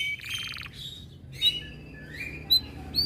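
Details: Canary in high breeding condition, said to grow more aggressive on hearing other birds sing: a short buzzy trill of stacked notes, then scattered high chirps and sharp whistled notes at irregular intervals, fairly faint over a steady low hum.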